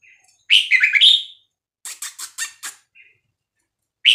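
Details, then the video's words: Vietnamese-type red-whiskered bulbul song in a 3-4-5-6-7 style, played to teach young birds and excite them: a bright, warbled, rising-and-falling whistled phrase, then a quick series of five sharp clicking notes and a short high note. "นกกรงหัวจุกเวียดนาม 3-4-5-6-7 เปิดสอนลูกนก เปิดยั้วนกฟังนกคึก"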